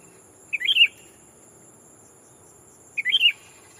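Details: Sooty-headed bulbul kept as a decoy, calling to a rival to lure wild birds: two identical chortling, flute-like phrases about two and a half seconds apart, each a fast run of bubbly notes, over a steady high whine.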